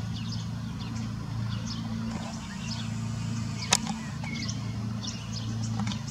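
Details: Common starling singing on the İnönü University campus in Turkey. Scattered thin, high whistled notes and a short descending slur come over a constant low droning hum, with one sharp click partway through.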